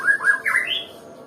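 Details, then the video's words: Brief phrase from a Nias white-rumped shama, described as lazy to sing: three quick slurred whistled notes followed by a higher drawn-out rising whistle, then quiet. "Murai batu yg males bunyi ya seperti ini contohnya"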